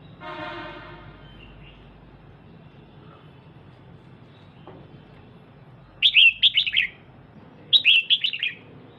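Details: Female red-whiskered bulbul, a kept bird, stimulating the male: after a brief buzzy rasp and several quiet seconds, two quick bursts of bright, falling, chattering notes come near the end.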